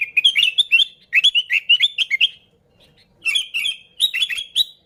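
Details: Sooty-headed bulbul singing vigorously, a lure for catching bulbuls: a long run of quick, fluty, chattering notes in steady pulses, then two short bright bubbly phrases after a brief silence.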